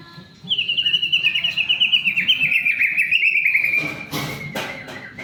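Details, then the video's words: White-rumped shama lure song for prompting other shamas to sing: a long, even, rapid trill of pulsed notes lasting about three and a half seconds, gradually falling slightly, followed by a sharp click and a thin whistle. "pancingan murai batu agar cepat bunyi"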